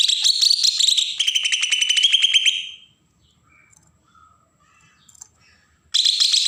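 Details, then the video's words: Bornean green leafbird, Berau in Kalimantan, singing agitatedly to provoke untrained birds: almost three seconds of rapid, buzzy high notes that drop slightly in pitch, faint distant chirps during the pause, then another burst. "cucak ijo Kalimantan suara besetan pancingan burung bakalan"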